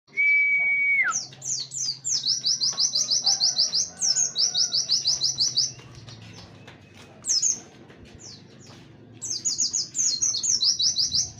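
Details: Warbling white-eye singing in the rapid-fire 'tembakan wit wit kenari' style used for training other songbirds: a steady held whistle opens, then fast runs of high, sharp, repeated chips in bursts of about two seconds, separated by quieter ticking.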